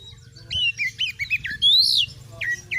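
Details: Oriental magpie-robin challenging other birds, used to build fighting spirit: a quick jumble of whistled and chattering notes, then a loud, long rising whistle and a few closing slurs.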